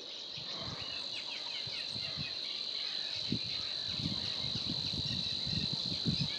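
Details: Savi's warbler at Gremandlweiher reels a continuous, even, insect-like buzzing trill that runs unbroken throughout, over low rumbling wind or background thumps.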